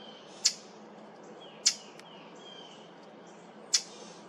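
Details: Brown thrasher making an unfamiliar sound at a cemetery on July 8th, 2023: three short, sharp, high smacking notes spaced irregularly, one to two seconds apart, with faint thin tones between them.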